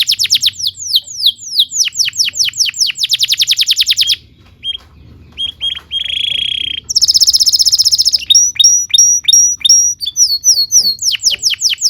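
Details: Canary in full song, from a recording meant to teach young canaries: rapid rattling trills of sharp falling notes, a short gap, a buzzy steady tone, a very high piercing trill, then repeated whistled sweeps and another rolling trill.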